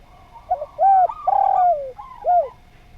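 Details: Spotted dove song for training other birds: a soft, mellow cooing phrase of rounded notes, one longer drawn-out coo in the middle, a final short coo, over a faint steady hum.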